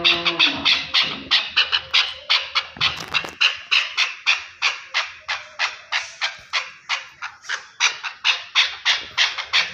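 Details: Rapid, rhythmic chucking series from a Chukar partridge in Pakistan, harsh notes repeated roughly three per second for nearly ten seconds, opening over a brief low tone.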